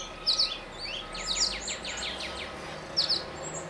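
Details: Male northern mockingbird singing atop a tall mesquite tree in central Arizona: bright high chirps, a quick run of downslurred notes in the middle, and the opening paired chirp repeated near the end, over steady background hiss.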